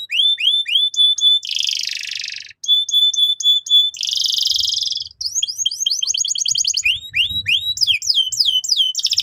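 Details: Canary training song for young birds. Sets of rising slurred whistles repeat about four per second and alternate with harsh, buzzy rattles. A varied phrase of fast chirps follows, with soft low knocks beneath.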